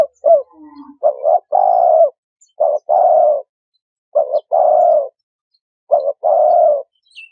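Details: Steady series of spotted dove coo phrases, each a short double note followed by a longer hollow coo, repeated four times at even intervals.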